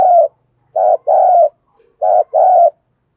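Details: Decoy spotted dove cooing to lure wild doves: low, mellow coo notes in two close pairs, each note a steady hum lasting about a third of a second, with clean quiet gaps between them.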